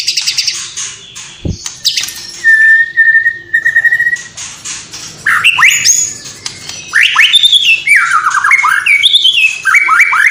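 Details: Singing white-rumped shama from Cililin mixing in imitations of sparrows, squabbling lovebirds and sooty-headed bulbul: harsh chatter, then a steady buzzy whistled note, followed by rapid sweeping whistles that rise and fall.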